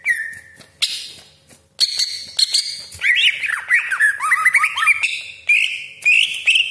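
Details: Cucak ijo, the greater green leafbird, in long-roll 'full isian' song: a held whistle, then harsh rasping bursts, then rapid looping whistled notes and strident high phrases.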